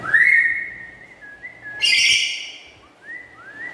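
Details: Black-capped lory kept at home, chattering loudly. A strong, slurred call opens, followed by a brief harsh burst, then thin whistled slides rising and falling.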